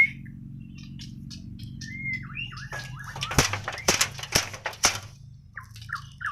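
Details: White-rumped shama from Borneo (Kalimantan), natural song: short whistled phrases and downslurs broken by several sharp loud clicks or knocks, with a low hum underneath.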